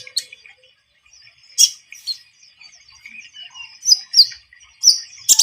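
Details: Javan munia used as a trapping lure, giving a faint, high twittering song broken by a few loud, sharp chirps and short whistled notes spaced irregularly.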